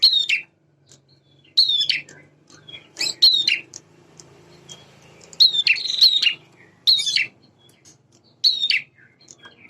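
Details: Male prinia in active song mixing prenjak semi and klawu styles. Repeated short, sharp, buzzy high phrases come every second or two over a faint low hum.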